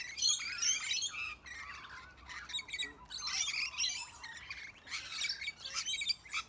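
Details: Rainbow lorikeets bullying bigger birds, among them cockatoos, bush turkeys and other lorikeets, let out harsh shrill squawks in short clusters, separated by brief quieter gaps of softer chatter.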